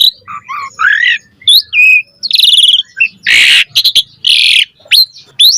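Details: Asian pied starling in vigorous mompa song for training birds: warbled low whistles, a buzzy trilled phrase, two loud harsh screeches and a few sharp rising squeaks at the end.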